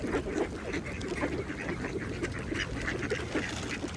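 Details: Mallards feeding on a pond produce quick, low quacking chatter in short bursts, accompanied by constant dabbling and splashing water.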